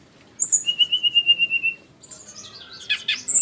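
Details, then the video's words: Flycatcher (sikatan rimba) giving a high note, then a steady series of about twelve quick, even, whistled pulses on one pitch, followed by a scratchy jumble of very high chirps. "burung sikatan rimba"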